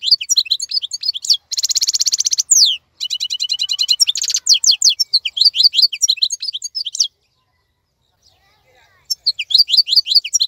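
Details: European goldfinch keeping its shiny plumage and vigour during the moult of other birds, singing fast twittering phrases with a dense buzzy rattle, quick repeated chirps and downward-sliding notes, then a silent gap before singing resumes.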